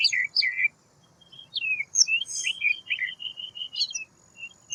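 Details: White wagtail twittering: paired chirps, a pause, then a long run of quick even-pitched notes and slurred whistles, a low hum underneath.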